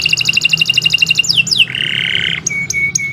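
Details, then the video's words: Canary singing vigorously and at length, used as a tutor recording for training other birds: a rapid trill of high repeated notes, two swift descending slurs, a long buzzy sustained note, then sharp whistled upslurs. "Kicau Burung Kenari 122 II LUAR BIASA GACOR PANJANG Cocok untuk Masteran"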